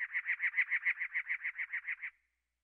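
A cactus wren gives a harsh, rasping chatter of about thirteen even notes, roughly six a second, like a stalling engine. No other sounds are heard.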